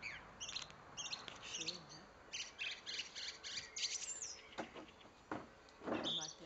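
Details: Male common blackbird singing from a treetop in a German garden during the breeding season: a run of high, squeaky twittering phrases in quick bursts, with a few sharper chirps near the end and some faint background sound.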